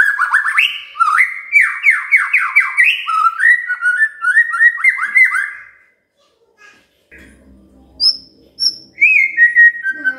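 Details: Magpie-robin song used to coax a quiet bird to sing: a fast run of rich, rising whistled trills for about six seconds, a pause with faint low noise, then a few high whistles.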